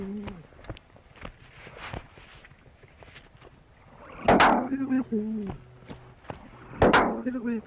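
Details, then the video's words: An Australian musk duck, recorded by researchers, mimics human speech, repeatedly saying 'you bloody fool' in low, voice-like phrases, the first documented duck vocal mimicry; two sharp splashing bursts and faint rustling and footsteps behind. "Talking Duck - Said in English - 'You bloody fool'."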